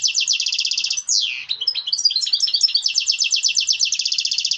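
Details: European goldfinch mating song, said to stimulate birds to breed: rapid liquid twittering trills, a falling buzzy slur, then varied tinkling notes returning to fast repeated chatter, continuous throughout.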